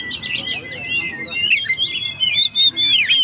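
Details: Singing Oriental magpie-robin, gacor style, meant to stir up stressed birds: a continuous stream of bright whistles and quick twisting slurs, with a sustained steady tone running beneath the melody.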